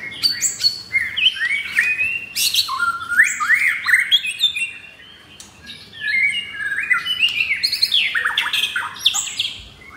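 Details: Caged Indonesian White-rumped shama, F4 blorok bird kept in Jakarta, delivering rough 'materi kasar' song: rapid clusters of upward-sweeping whistles and harsh squawky notes, pausing briefly in the middle before bursting again.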